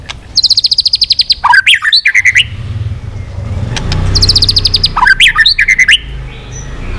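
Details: White-rumped shama singing intensely after being provoked, tail flicking all the while, changing voices. Two bursts of fast, high, buzzy repeated notes each end in twisting whistled flourishes. A low rumble fills the gap between them.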